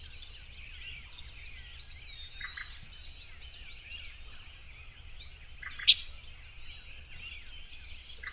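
Orchard oriole giving a fast, jumbled run of varied whistles and chatters, with other birds calling behind, a low steady rumble, and one sharp click.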